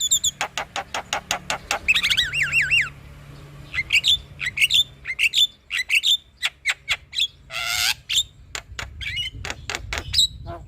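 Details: Male Javan myna singing to rouse a quiet bird into excitement: a rapid series of sharp clicks, then wavering whistled trills, buzzy bursts and a harsh rasping squawk, ending in more repeated ticking notes.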